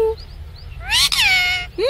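A rose-ringed parakeet gives a single drawn-out, meow-like voiced phrase that rises and then falls, with a few faint chirps before it and a quick rising note at the end.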